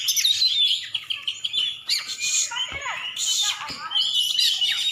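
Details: Champion Oriental magpie-robin, Aceh, singing loud clear whistles broken by downward-sweeping slurs and harsh bursts in a short burst of varied phrases.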